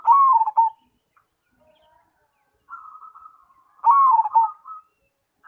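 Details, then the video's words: Zebra dove of the Cemani type in song. Two loud, descending, rolling coo phrases are separated by a quieter, level, trilled passage. "Perkutut Cemani Gacor"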